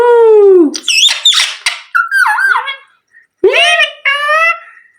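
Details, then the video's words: Pet parrot talking indoors; loud, clear speech-like utterances with sliding harmonic tones and squeaky syllables, then a short pause and two more word-like phrases. "Parrot Talking Completion | Parrot Taking Video"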